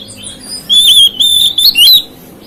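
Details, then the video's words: Oriental magpie-robin delivering a provoking song phrase: one sustained, loud, high whistled run broken into three or four linked segments, ending in rising and falling slurs. "KICAUAN KACER MEMICU EMOSI KACER LAIN"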